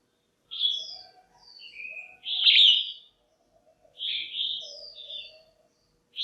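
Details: Caged female red-whiskered bulbul calling to excite males or for pairing: two groups of lively warbled whistles, each building to a loud, slurred note, separated by a short silence.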